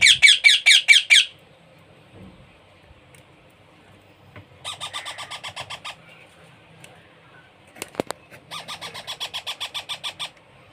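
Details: Young parrot begging while hand-fed: bursts of rapid, raspy, pulsing calls at roughly two per second, broken by pauses of near silence and a sharp click or knock in between.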